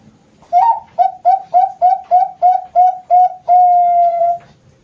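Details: Bangkok-type zebra dove bred on a bird farm in Kroya, Cilacap, Central Java, Indonesia, singing competition-quality song with steady front, middle and end parts: about nine short, rising, mellow coos in quick succession, then one long level drawn-out note.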